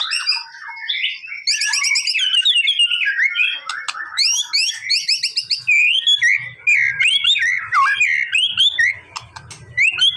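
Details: Varied white-rumped shama song intended to get a quiet bird responding within seconds. High trills, chattering runs and wavering slurred whistles follow one another quickly, over a faint low hum in the second half.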